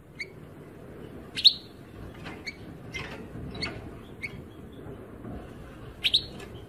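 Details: European goldfinch: a loud, sharp, slurred chirp, then scattered softer twittering notes, ending in a pair of bright chirps, over a faint low hum.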